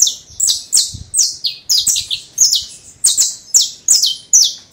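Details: Loud, close domestic canary from a breeder's aviary, delivering crisp, high descending notes in pairs and triplets, each sharply struck and repeated at a brisk, even pace, with a few soft clicks.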